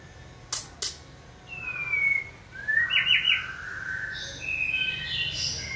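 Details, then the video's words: Shama in song training, stimulated to sing: two sharp taps, then a falling whistle, a short buzzy trill and a string of higher warbled notes. "Kỹ thuật kích thích lửa cho chim hót (shama bird)"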